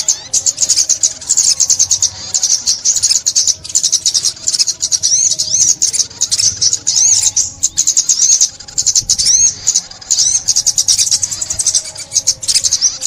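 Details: Sustained sunbird song, recorded in 2021: dense, very high chattering trills and twitters continue almost without a break, with occasional sweeping slurred notes.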